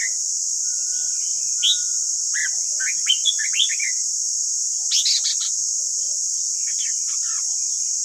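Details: Red-whiskered bulbul song for tutoring captive wild-caught and white-cheeked birds: scattered chirps building into a busy, jumbled warble, a sharp burst of high notes midway, then softer twitters, all over persistent hiss.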